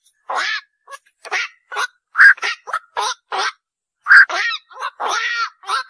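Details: Black-crowned night heron calling rapidly, a dense series of harsh, throaty quok notes, some overlapping, as if several birds call together, with no other sounds evident.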